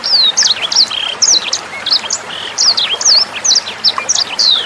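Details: Sanger bird singing for songbird tutoring, alongside faint flowing water: a lively, unbroken stream of sharp high whistles, zigzag slurs and short trilled notes, repeated in quick phrases.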